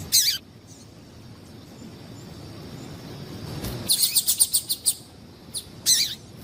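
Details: Female yellow-bellied seedeater call meant to excite males: one sharp chirp at the start, a long quiet stretch, then a rapid series of about seven high, scratchy notes and a closing pair of chirps.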